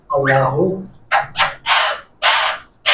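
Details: Talking parrot imitating speech, repeating the word "Allah": a harsh, throaty opening note, then short, raspy, voice-like bursts repeated several times in quick succession.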